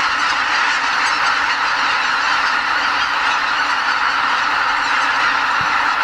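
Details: Spring-migrating greater white-fronted geese, about 80,000 in number, lifting off from their roost at Lake Miyajimanuma in Bibai, Hokkaido, before sunrise; a constant babble of high, laughing honks from the huge flock.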